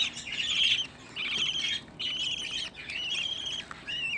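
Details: Home-reared budgerigar young, sixteen in one place: distinct bursts of harsh, rasping calls roughly every half second to second, separated by short quieter gaps, ending in a thinner squeak.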